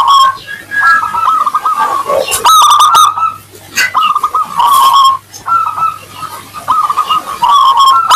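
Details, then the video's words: Crystal-voiced local zebra dove sings as a lure to prompt answering doves: long, wavering, rolling coo trills alternate with brief bursts of sharp high notes, with short gaps between phrases and a faint hum beneath. "Perkutut lokal gacor suara kristal pancingan perkutut ampuh bikin cepat nyaut"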